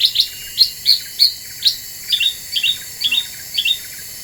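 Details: Lively Black-winged bulbul lure song: high, ringing upswept notes repeated about every third of a second, changing halfway to lower, doubled chirps.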